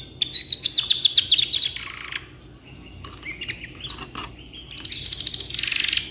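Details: Long tutoring song of a black-red rolling canary: a fast bright trill and buzzy notes, a quieter stretch of soft high notes, then a rising rolling trill.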